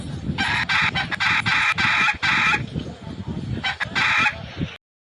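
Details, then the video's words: A rooster crows during a fight. A long, harsh crow is made of several strident pulses, then a short pause, then a second shorter crow. Low scuffling noise runs underneath, and the sound ends abruptly. "The sound of Rooster fighting and Crowing"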